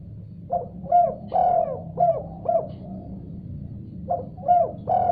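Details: Tekukur, the spotted dove, responding to a call it has heard: repeated short, hollow coos with one longer stretched note, a pause, then another run of coos, over a low background hum.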